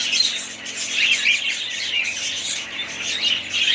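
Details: Pet budgerigar family chattering, high buzzy squawks mixed with quick warbling chirps, overlapping voices in a steady noisy stream.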